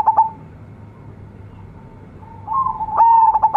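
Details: Local young zebra dove: short bursts of rapid, clipped cooing notes near the start and again at the end, with quiet mid-pitched tones between.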